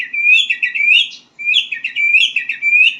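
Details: White-rumped shama in song practice, two rapid warbling phrases of rolling, buzzy notes, each over a second long, separated by a short gap.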